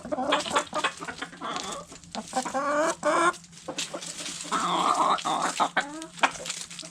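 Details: Backyard chickens feeding on food scraps; hens give stacked, harmonic clucks and drawn-out squawky notes, several overlapping, amid busy pecking clicks and a faint low hum.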